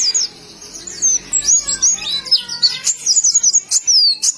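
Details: Wild oriental white-eye in Indonesia: loud, fast, varied twittering song of high whistled slurs and sweeping notes, with fainter lower falling whistles from another bird in the middle.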